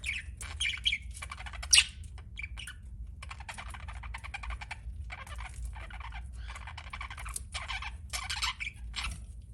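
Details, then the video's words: Budgerigars give bursts of high chirps and scratchy warbles separated by short quiet gaps, with one sharp squeak early on, over a steady low background hum. "BUDGIE CHIRPING SOUNDS"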